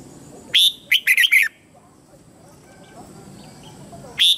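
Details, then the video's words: Decoy red-whiskered bulbul calling wild birds in to fight: a loud whistled note, then a quick cluster of four warbling notes, followed by near silence and a single bright note at the end. "Chào Mào Mồi Hót Gọi Bổi Về Đấu / Chào Mào Hót Đấu chim Trời"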